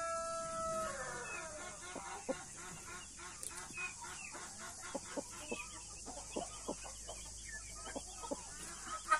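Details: Blue mother hen with chicks of Australorp and Brahma breeds: rapid low clucks repeated in a steady run, mixed with many thin high chick peeps and a steady high hiss throughout.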